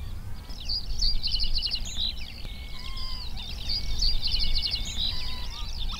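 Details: A male Common Reed Bunting sings its short territorial song at Higham Marshes wetland, Kent, England: two short, high, jingling phrases of quick ticking notes about three seconds apart, over a low rumble of wind or distant traffic.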